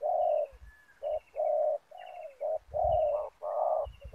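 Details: Spotted dove decoy calling on the ground beside snare traps to lure wild doves: deep, hoarse coos in a broken series, some notes short, others drawn out, with a thin high trill overhead and low rustling between phrases.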